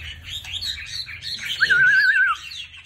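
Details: Chinese hwamei singing with fanned display as its moult finishes: a rich, continuous warble of fluid notes, ending in a long wavering whistle, over low background hum.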